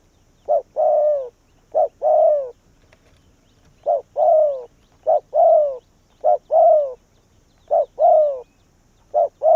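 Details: Spotted dove as a decoy luring wild doves: a steady run of low coos, each short note quickly answered by a longer, falling croo, about six phrases in close succession.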